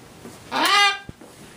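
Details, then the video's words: Pet Moluccan cockatoo playing peekaboo indoors: one loud, harmonic squawk that rises and then holds steady for about half a second, followed by a sharp click, against low room noise. "Bird (Moluccan Cockatoo) Playing Peekaboo and Texting"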